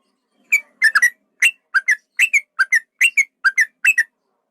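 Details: Male yellow-vented bulbul giving a fighting-style lure song meant to provoke rivals and make them sing: short whistled notes, often paired, falling and rising, in an irregular chattering string.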